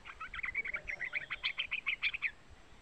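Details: A young yellow-vented bulbul (trucukan), played to provoke trucuk birds into song, gives a fast run of crisp chattering notes, about a dozen in under two seconds, against a quiet hiss.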